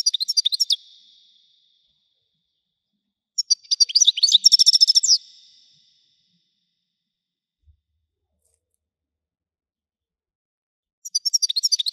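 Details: Widani-type European goldfinch delivering high, jangling twittered song: a short phrase, then a longer dense burst of tinkling trills and chirps, and a final phrase after a long silence.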